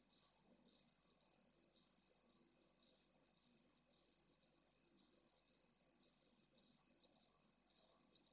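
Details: Pallid swift chick begging for food inside a nest in a breeding colony at a school in Jerez de la Frontera, Spain, amid heat above 45°C; harsh, buzzy high notes repeated steadily almost twice a second.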